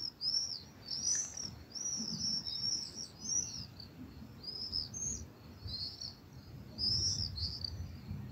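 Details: Common swifts in a town at the end of the day in June, descending near the ground before returning to their nests, give shrill, buzzy screams in rapid overlapping bursts over a low rumble of background noise.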